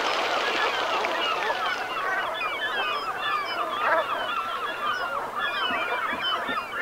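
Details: Flock of Brent geese calling at sunset in the Gulf of Morbihan, Brittany, France, autumn, 7 November 2021: a constant babble of overlapping rolling, nasal calls with scattered thin higher notes throughout.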